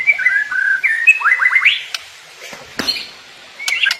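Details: White-rumped shama song: clear whistles and a series of quick upslurred notes, then mostly quiet background with faint clicks.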